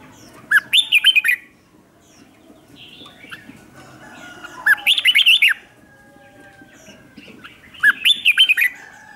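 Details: Lure red-whiskered bulbul calling wild birds in, repeating a short chattering whistled phrase three times at roughly three-and-a-half-second intervals, each phrase a quick run of rising and dipping notes, with quiet gaps between.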